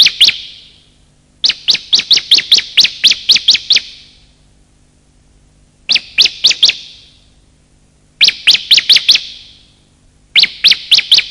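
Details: Bar-winged prinia pair, male and female, used as a lure to wake silent birds and trap wild ones: five bursts of uneven length, from three to nine shrill chirps, with gaps between.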